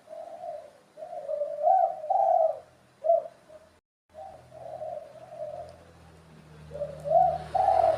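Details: Spotted dove calling with soft, mellow coos in repeated phrases of two or three notes, with the middle note stronger and slightly rising, then a short pause and more coo phrases, with a faint low hum behind.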